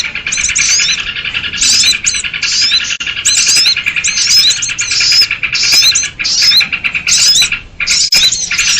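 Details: Sooty-headed bulbul lure sound for trapping: rhythmic bursts of harsh, buzzy chatter about once per second, each with short rising whistled notes, running steadily for nearly nine seconds.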